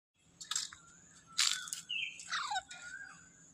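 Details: Baby Alexandrine parakeet calling: harsh, broad squawking bursts alternate with short chirps and thin whistled notes that slide downward, in a quick, uneven sequence of about five outbursts.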